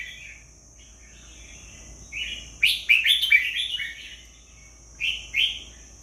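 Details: Red-whiskered bulbul delivering soft introductory notes, then a quick cluster of bright warbling phrases and two final clear chirps, with a steady high whine underneath.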